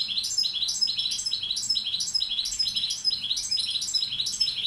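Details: Tutor Balkan goldfinch delivering a continuous stream of high, bright twittering notes in quick, slightly irregular bursts, about two per second.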